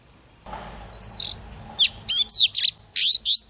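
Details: Caged female Oriental magpie-robin, kept as a decoy to provoke males, sings a short phrase: a sustained high note, then clusters of quick whistled chirps and trills, with a constant thin high whine behind.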